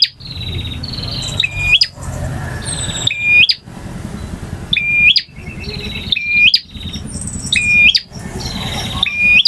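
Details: Male bar-winged prinia singing in full variation styles called ngotot, ngalun, variasi and kristal: phrases of buzzy rattling notes ending in a sharp high whistle, repeated roughly every one and a half seconds, with a steady low hum beneath.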